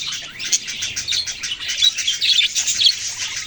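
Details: Baby budgerigars give a dense, continuous stream of high, scratchy chirps and tweets that overlap, with louder bursts toward the end.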